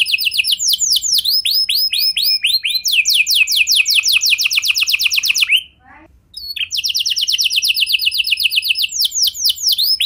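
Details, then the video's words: Canary lure song for triggering other canaries: continuous rolling series of rapid downward-slurred notes in several tempos, a dense rattling passage, one short break, then the trilling resumes. "Pancingan Suara Burung Kenari Lagu Unik! Buat Kenari Mana Saja Pasti Ikut Bunyi"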